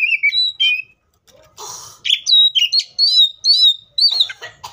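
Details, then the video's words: Wild Oriental magpie-robin pouring out continuous song: slurred whistles, then a run of clear, high, rising and falling notes repeated rapidly, with one brief rasping burst. "THIS COPSYCHUS SAUCARIS BIRD MOST LUXURIOUS SOUNDS LIKE IN THE WILD!"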